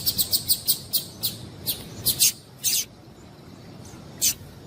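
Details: A female double-collared seedeater calls to stimulate a male to sing: a fast series of high chips that slows and grows louder, then silence and one last isolated chip.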